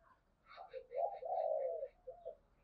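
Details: Spotted dove decoy call used for luring wild doves: a low, mellow coo phrase with a long, steady middle note and a short final coo, overlaid by faint higher chirps from other birds.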